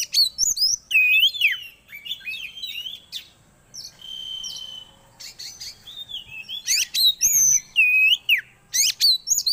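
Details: Lure song of an Oriental magpie-robin, meant to bring kept birds quickly into breeding condition. Loud, fast medley of bright looping whistles, clipped chips and a sustained buzzy note midway, phrases tumbling over one another almost without pause.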